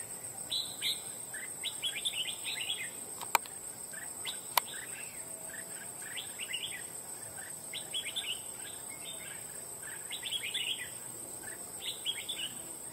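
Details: Wild red-whiskered bulbul recently trapped for fighting, giving loud song in repeated bursts of bright chirping, warbled notes about every one to two seconds, two sharp clicks, and a constant high insect drone throughout.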